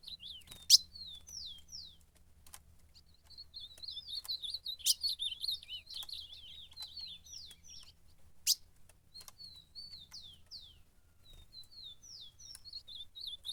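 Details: Ultramarine grosbeak in a campeada fight sings repeated warbled phrases: clipped slurred whistles, a long twisting middle run, then more scattered short notes, with several sharp clicks between.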